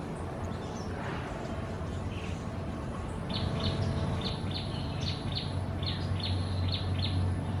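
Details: Wild pair of lesser whistling ducks at Gardens by the Bay, Singapore, where they breed uncommonly. After a few scattered notes, a quick run of about a dozen short, high whistles begins midway and continues over a steady low rumble.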